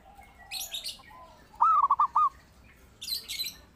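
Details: Zebra dove (perkutut) in lively song, kept as a lure and master recording; a single clear phrase of five rapid, bouncing coos, with high chirping from other small birds before and after.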